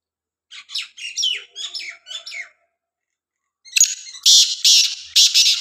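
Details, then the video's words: Black francolin from Khushab, a string of thinner, wavering chirps leading into the full call, a harsh grating burst of four or five loud rasping notes. "kala teeter ki awaz"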